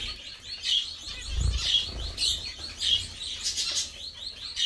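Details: Zebra finches eating, singing, chirping and bathing: several birds give high, sharp chirps and squeaky notes about once a second, overlapping in a busy chatter, with low rustling and soft splashing-like thumps underneath.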